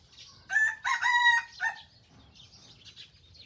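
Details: Young white Thai bantam rooster in Phon Thong, Roi Et, learning to crow: a short, broken, hoarse crow in three or four uneven bursts, faltering at the end, with faint chirps of other birds behind.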